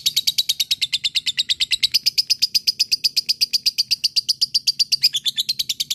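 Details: Lovebird ngekek panjang, a long trill to make other lovebirds respond: an unbroken, fast chain of harsh high chattering notes, about three per second, steady in pitch with a short squeaky flourish near the end.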